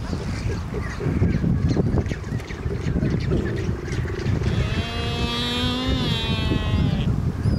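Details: Black-browed albatrosses courting on Saunders Island in the Falkland Islands, 2019. Strong wind rumble dominates at first, then a harmonic, braying call holds a fairly steady pitch for about two seconds near the end, with wind continuing throughout.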